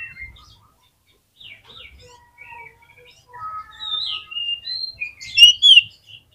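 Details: Oriental magpie-robin lure song meant to draw other magpie-robins into song: scattered quiet whistles and thin trills swelling into a louder, complex flourish of high notes near the end.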